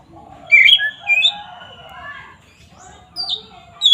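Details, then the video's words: Oriental magpie-robin in loud, open ngeplong fighting song, used as a lure to rouse rival magpie-robins. Short bright whistled notes and slurs come in separate bursts, with a long fading whistle and softer lower warbling between them. "pancingan SUARA BURUNG KACER GACOR NGEPLONG ini paling ampuh untuk menaikan emosi kacer"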